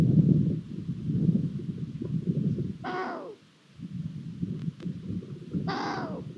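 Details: Long-eared owl at a Hungarian nest on 23 April 2022, during food deliveries by the male and the hatching of a new chick; two harsh, nasal, downslurred calls about three seconds apart over a steady low rumble of wind or microphone noise.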